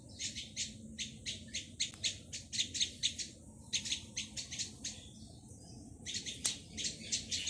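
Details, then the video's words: Chick of a Plaintive cuckoo begging in bursts: runs of rasping, sibilant high notes in quick succession, broken by short silent gaps, with two sharp clicks. "Baby Plaintive Cuckoo - ลูกนกอีว๊าบตั๊กแตน"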